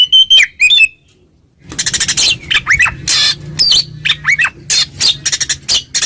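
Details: Oriental magpie-robin calling a rival in full 'ngeplong' song: two bright whistled notes, a short pause, then dense harsh scratchy bursts mixed with sliding whistles, with a low hum in the background.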